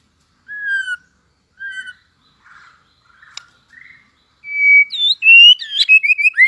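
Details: Tail-flicking white-rumped shama just coming into fighting form, giving competing song: two clear downslurred whistles, soft muted notes, then a rush of loud varied whistles and rapid warbled phrases.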